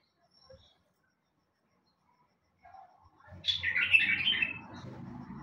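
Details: After a quiet start, a bulbul gives a rich gurgling warble of about a second over steady low rumbling noise that continues afterwards.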